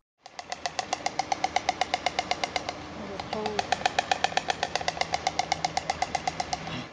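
A stork clatters its bill in a fast, dry, wooden rattle of about four knocks a second, with a faint low murmur behind it.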